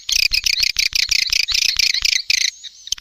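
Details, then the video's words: Lure call for swiftlets, SP Neptunus, used in the rainy season: rapid harsh, buzzy chirps repeated about four or five times a second, then a pause with a thin whistle-like tone and a final short chirp. "SUARA PANGGIL BURUNG WALET"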